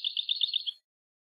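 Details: Short rapid rolling trill of liquid paired notes from a European goldfinch on a tutor recording for young birds, lasting under a second before silence.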